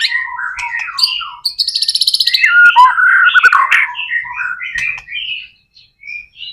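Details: White-rumped shama singing energetically as a lure for other shamas: varied chirps, a fast buzzy rattling trill, dense tumbling warbles, then a fade into a short pause.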